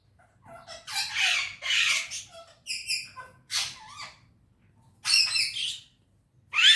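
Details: Pet parrot talking in a happy mood, said to speak Urdu or Hindi: harsh, speech-like bursts of broad noisy sound about half a second long, separated by short pauses, in a quiet indoor setting.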